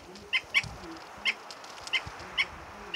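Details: Andean flicker (cargacha, pájaro pito) in the highlands of Baños del Inca, Cajamarca, at 3600 m: six or seven spaced, sharp, clipped notes, plus a soft flutter and low background noise.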